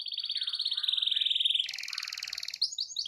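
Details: Canary singing persistently in a long rolling song meant to provoke other canaries into singing; a fast buzzy trill held for over a second and a half, then a higher, harsher rapid roll and brief sharp chirps.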